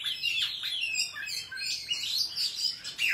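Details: Oriental magpie-robin singing in wild forest style, a recording used for trapping and for training young birds' voices; a continuous, rich warble of slurred whistles and quick varied notes, with rising and falling phrases and no pauses.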